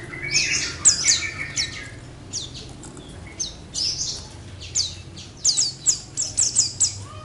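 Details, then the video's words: An Oriental white-eye, singing nonstop after being placed with other white-eyes, gives thin, very high twittering phrases in quick bursts of sweet chirps and trills over a faint low background hum. "Burung Kacamata | Burung Pleci"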